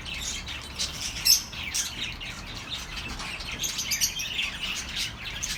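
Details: Soft bird chatter meant to calm lonely pet birds, high chirps and twitters flowing continuously, one sharper note early on.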